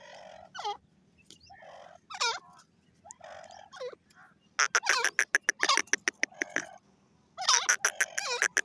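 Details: Grey francolin calling: harsh, grating notes in rapid bursts, alternating with loud downslurred, ringing notes and short quieter nasal phrases. A low steady hum runs underneath.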